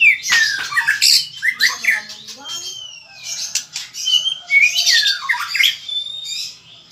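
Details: White-rumped shama singing: a varied, jumbled run of rich whistles, harsh notes and sliding phrases, with rising and falling slurs broken by short pauses.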